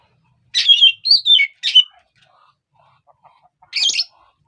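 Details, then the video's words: Oriental magpie-robin sound meant to stir other birds' emotions: three quick loud whistled notes, one slurring downward, then a pause and a harsh scratchy squawk. "pancingan emosi burung kacer"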